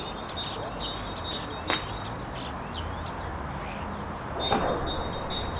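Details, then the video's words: Three common starlings singing as a trio: loud slurred whistles that drop in pitch, mixed with thin high notes and brief clicks, over steady broadband background hiss. "Скворцы музыкальное трио"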